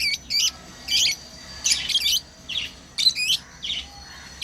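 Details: Lovebirds at play give loud, squeaky, twisting high chirps in short paired bursts, a few every second, with brief pauses between.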